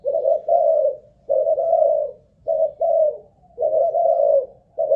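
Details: Spotted dove kept as a ground decoy bird, tested for cooing stamina: steady low, mellow coos in paired and triple notes, phrases separated by short pauses of about half a second, in a quiet room.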